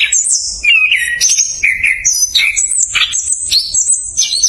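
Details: Orange-headed thrush giving a fast rolling song, meant to lure lazy thrushes into singing: rich slurred whistles, sharp chirps and quick trills follow each other closely, jumping between high and mid pitches.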